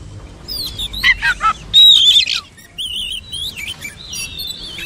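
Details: Oriental magpie-robin song of rich whistles and rapid chirps, a loud bright sustained whistle near the middle followed by quieter wavering notes.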